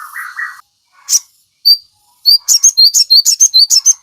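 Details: Training song of a sogon for caged birds. Opens with a lower buzzy trill and a few isolated high chips, then breaks into a rapid, even series of sharp high chirps.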